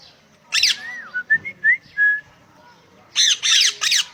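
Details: Parrot on a farm vocalizing: a harsh, harmonic-rich squawk, then a run of short whistled notes that slide up and down, ending in three rasping squawks in quick succession.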